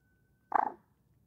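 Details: Common moorhen: one abrupt, throaty croak made of rapid pulses, brief and sharply starting, then fading out; otherwise quiet.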